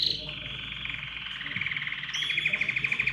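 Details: Canary song intended to spur other birds into singing: one long continuous rolling trill, steady at first, then brighter and faster toward the end, with a faint low hum beneath.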